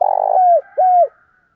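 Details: Spotted dove; call; decoy call to provoke rival males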